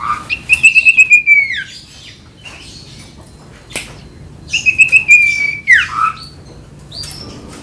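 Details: Ashy tailorbird (sirtu) used to provoke a silent common iora into singing, giving two bursts of song: a rapid pulsed trill ending in a downward sweep, a quiet gap, then the same trill and sweep again, with faint chirps.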